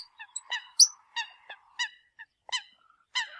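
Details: Eurasian coot decoy call, 2020: short nasal honking notes with bright harmonics, spaced irregularly about every half second, plus a thin sharp squeak and a faint steady hum behind.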